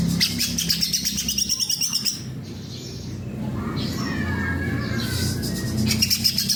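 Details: Greater green leafbird (cucak ijo) in full voice (gacor): quick trains of thin, high repeated chirps at the start and end, with a rustling, noisy middle stretch and a steady low background hum.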